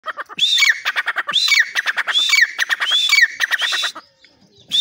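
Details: Caged grey francolin in Pakistan calling from the cage door: a dense run of loud, sharp high notes, each with a quick rising-and-falling twist, repeated in rapid bursts, with lower chattering notes in between and a short pause near the end.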